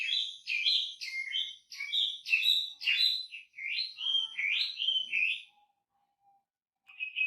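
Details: Lively wambi song made of quick, rich warbled phrases with bright whistled slurs and chattering notes, about two per second. It falls silent for a moment, then a short whistled burst resumes.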